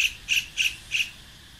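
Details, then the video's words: A kingfisher on Koh Samui, heard in a garden by a ripening pineapple plant, gives four sharp, high squawking notes about every third of a second, then falls silent. "L'oiseau que vous entendez, c'est un martin-pêcheur."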